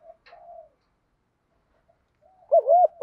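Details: Field-voice fighting coo from a spotted dove, provoking wild doves as a lure. A quiet low murmur and near silence give way to a loud wavering double coo and a steady drawn note at the end.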